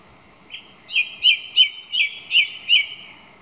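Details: Song thrush singing a phrase of six or seven clear, whistled notes, each repeated at a steady pace of roughly two or three per second, with a quiet background.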